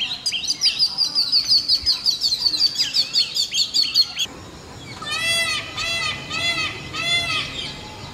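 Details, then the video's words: Peacock giving three loud, nasal, wailing calls rich in overtones, spaced under a second apart, after a long stretch of rapid repeated high chirping from another bird. "Peacock Sounds || Beautiful Peacock Noises"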